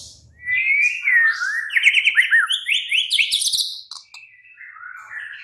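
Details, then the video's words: Oriental magpie-robin night song played to coax a caged bird into replying and singing: a rising whistled glide, then a dense run of fast chattering and buzzy notes, fading to softer scattered phrases with a faint low hum at the start. "Pancingan Murai batu MALAM HARI jadikan NYAUT GACOR dan NGEPLONG"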